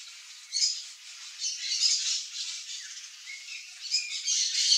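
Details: Blue-and-yellow macaws (Ara ararauna) eating a ripe mango in Brazil's Cerrado, giving rough, grating squawks that swell and fade in uneven bursts against continuous high hiss.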